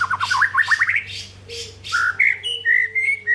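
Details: Captive white-rumped shama from Indonesia giving a varied song: a fast trill of zigzag notes, then loud rich whistles rising and falling, with a steady low hum behind.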